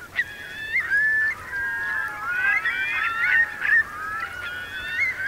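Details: Thousands of Eurasian curlews gathered at high tide in the wet Marquenterre meadows, Bay of Somme, 7 October 2021. Dense overlapping whistles, many gliding upward, form a continuous clamour with occasional sharper notes.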